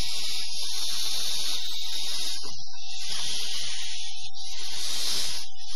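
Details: Barn owl near its owl box, 13 September 2015, giving three long, harsh, breathy hisses over about six seconds, over a steady low electrical hum and a faint thin tone.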